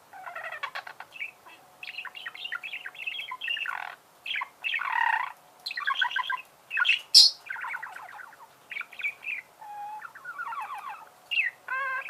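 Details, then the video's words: Several seconds of continuous budgerigar warbling, a busy stream of clicks, buzzy rasps, squeaks and chattered trills with brief gaps, one sharp high squeal near the middle, and a faint steady hum underneath. "пение волнистых попугаев,скрип"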